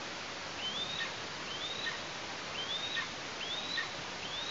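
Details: Eastern imperial eagle chick in its nest in Tatarstan on 16 August 2023, heard while a sibling enters the nest and the parents bring prey; thin, high, upslurred calls repeat roughly once a second over steady background hiss.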